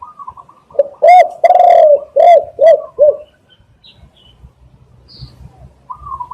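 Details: Spotted dove coo phrase recorded as a lure for catching doves: a low hoarse series of about five coos, one stretched long, with faint higher twittering from another bird before and after.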